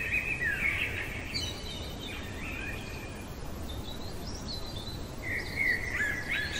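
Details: Blackbird singing in the middle of the night, a warbled whistled strophe at the start, faint higher notes in between, and another rich phrase near the end, over continuous low rumbling noise.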